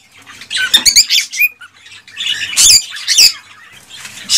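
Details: Excited male cockatiel singing to stimulate a female to mate and breed: bright harmonic whistles and rasping squawks in two bursts, separated by a short quiet gap.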